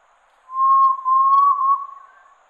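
Red-legged Tinamou giving a single long, pure whistle that holds a steady mid pitch with a faint rise, lasting about a second and a half.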